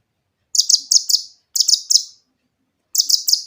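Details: Prolific grey-cheeked bulbul song used to get quiet bulbuls singing: three quick bursts of very high, sharp, ticking chirps, each of four to five notes, separated by silent gaps.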